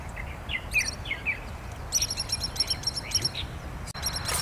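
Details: On Kinmen, where it is resident, a Pied kingfisher utters high, thin, rapidly repeated chirps in a run of evenly spaced bursts, preceded by a few lower slurred whistles from another bird, with low ambient rumble.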